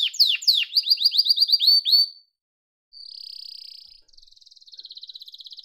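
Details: Yellow domestic canary delivers rapid repeated down-slurred notes, then after a short silence a steady buzzing roll and a softer pulsed trill.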